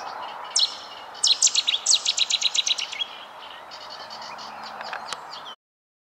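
Cetti's warbler gives one sharp note, then an explosive burst of about a dozen loud, rapid, ringing phrases lasting under two seconds. Fainter bird notes follow.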